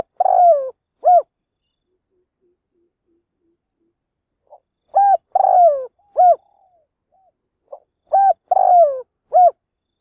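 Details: Spotted dove used as a decoy bird, cooing to lure wild doves for trapping: clear, mellow coo phrases, a few short notes then a longer rolling coo, repeated about every four seconds against a quiet background.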